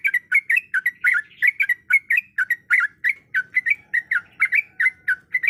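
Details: Sooty-headed bulbul female calling to a male, giving a steady, rapid run of short chirpy slurred notes, about four per second, bubbly and scratchy with a faint low hum behind.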